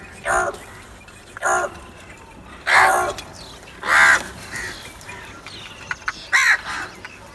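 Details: Crows cawing while they fight over food: loud, harsh, rasping caws repeated about every second or so, five strong calls with short gaps between them and a few softer clicks near the end.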